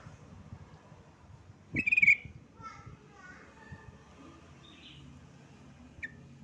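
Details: Yellow-vented bulbul calling a rival: one loud, bubbly, rapidly pulsed note lasting about a third of a second, followed by a few softer, scattered chirps and a short high note near the end, over a low background murmur.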